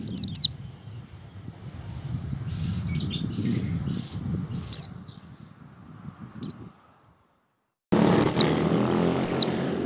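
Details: Oriental white-eye ngecal song with ngalas practice, used to coax other white-eyes into opening their beaks; brief high downslurred whistles in pairs and singles, then a short silent break before louder notes resume over rushing background noise.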